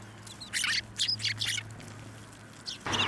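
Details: Sparrows gathering on a sidewalk curb at a shrine to be fed, 11 January 2024; loud bright chirps in short bursts, four close together then two more, with a low engine drone beneath.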